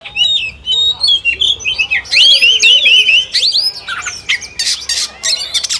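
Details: Oriental magpie-robin song in a contest-style recording: clear whistled phrases, rising and falling slurs, and trilled runs, followed by harsh buzzy bursts and rapid chattering notes in quick succession.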